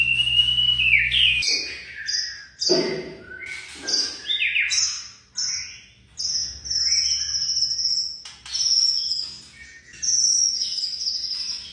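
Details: Young white-rumped shama singing in short bursts: loud whistled slurs, sharp chips and high thin notes, phrases separated by brief pauses, with a low hum at the start.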